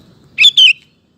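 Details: Sooty-headed bulbul song used to draw male bulbuls into singing: a single bright, slurred two-note whistle, the second note falling, clear against quiet low background noise.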